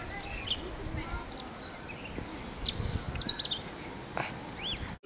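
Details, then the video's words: A male Indian robin calling in Tirunelveli, India: sharp, high chirps in small clusters every second or so, then a brief rising whistle at the end, over a steady outdoor hiss. "Indian Robin Calls"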